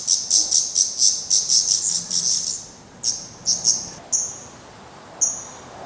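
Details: At a black redstart nest in Portugal, fledglings still fed by their parents give a fast series of high, hissing bursts. Sparse, thin, level whistled notes follow, spaced about half a second to a second apart.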